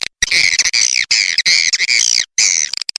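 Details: Swiftlet attraction sound: loud, shrill, buzzy twitter phrases about half a second long with wavering up-and-down chirps, repeated with short breaks, ending in a few quick clicks.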